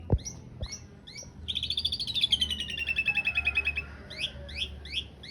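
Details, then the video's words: Asian pied starling song on a master recording for training cage birds, with a coarse-filled long-roll style: a long run of rapid harsh notes sliding gently downward, framed by short repeated chirps and two sharp clicks. "Suara masteran jalak suren isian kasar roll panjang"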